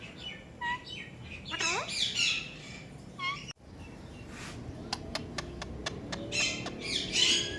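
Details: Pet talking ringneck parrot calling: short whistled notes, a burst of harsh screechy squawks with sliding tones, a run of sharp evenly spaced clicks, then more rasping squawks near the end.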